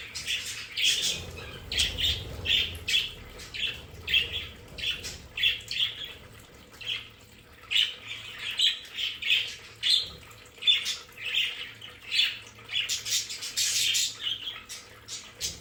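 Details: A group of budgerigars kept as pets in a play area calls steadily with repeated short, sharp chirps, several per second in loose runs, with a low rumble early on.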